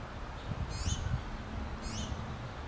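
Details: Finch chicks asking their mother for food: two high, bright descending cheeps about a second apart, with soft low rumbling noise beneath.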